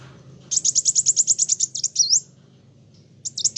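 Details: Lively kolibri wulung sunbird song, meant to agitate other birds: a fast series of high, piercing notes followed by a rising-falling whistled slur, then a brief restart.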